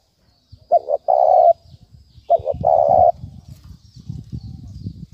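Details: Spotted dove repeating its 'thúc bổi' lure call twice: a clipped double coo leading into a sustained hollow note, with a low rumbling hum after the calls.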